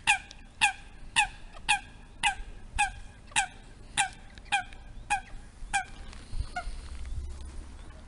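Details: Eurasian coot as three chicks enter the territory of an aggressive adult coot and provoke a fight; a run of eleven sharp, nasal, honking calls at roughly two per second, then fading into low rumbling background noise.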